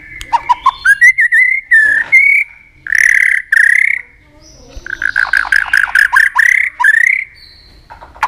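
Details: White-rumped shama singing to provoke rivals: rising whistled slurs, loud harsh bursts and a fast rattling run of repeated notes, with pauses between the phrases.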